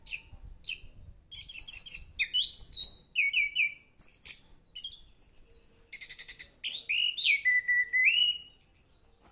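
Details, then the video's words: Orange-headed thrush singing lively and sweetly: a long varied sequence of high whistles, buzzy trills, rapid chirp series and downward slurs in quick succession, with brief pauses. "Burung Anis Kembang Gacor, Suaranya Merdu"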